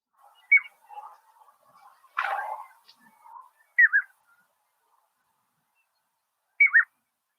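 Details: Piping Plover giving clear, whistled peeping alarm notes, short and slightly downslurred, in a few spaced bursts, probably defending eggs or territory; a soft low rumble and one brief noisy burst between them.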